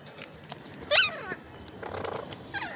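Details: Ringneck parrot uttering a sharp, bright, falling squawk, with faint chattering before it and a soft, buzzy burst and short high notes afterward.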